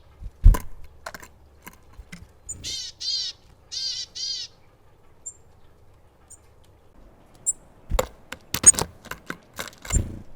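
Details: Willow tit (Poecile montanus) at a feeder gives three harsh, nasal, buzzy notes in quick succession; scattered clicks, taps and wing flutters before and after.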